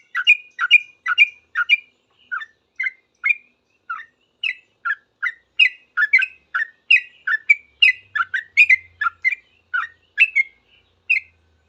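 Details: Sooty-headed bulbul answering other bulbuls with a long excited series of short liquid notes, two to three a second, varying up and down, with a faint low hum in the background.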